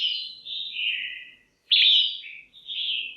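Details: Female red-whiskered bulbul, a caged bird, calling to rouse males or for pairing: a long slurred whistle falling gradually, then an abrupt loud bright note and a steady whistled tail.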